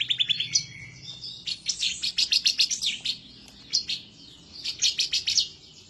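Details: Bar-winged prinia singing vigorously and excitedly as if seeking a rival, used as a master recording to prompt other birds to sing. Rapid bursts of dry, ticking high notes come in quick volleys with short pauses between them.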